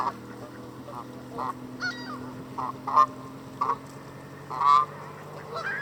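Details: Canada goose at a lake in Southern Ontario, Canada, before walking away with a limp: short, clipped nasal honks spaced irregularly over a steady low hum in the background.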